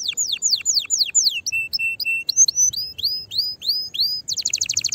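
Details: Canary song used to stimulate other canaries to sing: falling whistled notes, then level steady tones, then rising upslurs, closing with a fast high trill.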